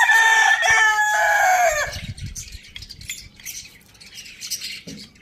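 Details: Rooster on a farm in a village crowing loudly: a harmonic, slightly descending crow lasting about two seconds, followed by quieter background chirping of small birds.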